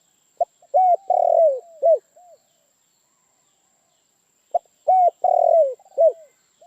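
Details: Two coo phrases from a spotted dove, separated by about two seconds of silence. Each has a short opening note, an arched coo, a long rolling coo falling in pitch, and a curved final note.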